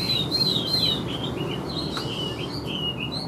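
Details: Chinese hwamei in a cage, large with yellow legs and bill, singing high drawn whistles and then varied short whistled figures, with steady background hiss.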